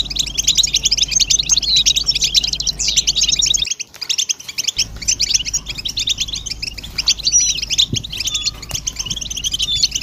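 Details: Goldfinch chorus meant to motivate males into song: fast buzzy twitters and chirps without pause, several birds together, a brief near-silent gap around four seconds, then the dense chattering resumes.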